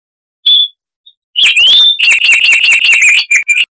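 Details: Chestnut-vented warbler, Sylvia subcaerulea, of southern African scrub, in a loud, crystal-clear song: a single high whistle, a pause, then a dense run of sharp chirps and a rising slur.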